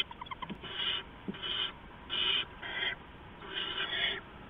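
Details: At night an adult owl brings rats to owlets at the nest, 15 November 2015, before dawn; a few quick clicks, then four long, harsh, breathy hissing screeches separated by short pauses.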